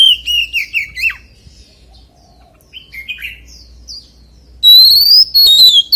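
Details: Oriental magpie-robin singing 'forest voice' song: loud whistled phrases at the start, a quieter stretch of scattered short chirps, then long, bright, rising whistles returning strongly at the end.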